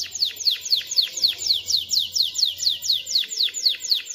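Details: Domestic canary song for teaching chicks and preparing females to mate; evenly repeated downward-sweeping whistled notes, about four per second, clear and rhythmic with a faint low hum.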